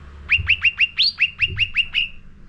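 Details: Sooty-headed bulbul lure song for training caged birds: a row of ten quick, sharp chirps, each sliding down to the same high pitch, about six per second. One note swoops slightly higher midway. Faint low hum underneath.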